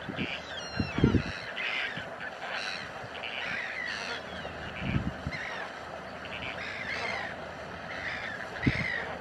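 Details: A flock of Chilean flamingos at Laguna Negra, calling in a continuous chorus of honking, nasal cackles and higher squeaky notes, broken by a few low thumps and bursts of wind noise.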